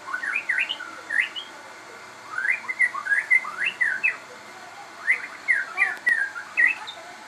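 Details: Crossbred caged shama repeating short bursts of rising, slurred whistles in quick groups separated by brief pauses, above a steady background hiss.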